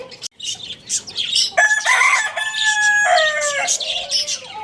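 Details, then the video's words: Rooster crowing loudly at a bird market. One drawn-out crow of about two seconds, steady and harmonic, falling slightly at its close. Dense high chirps and twittering from caged small birds fill the background. "Rooster Crowing Sound Effect | cute rooster crowing loudly"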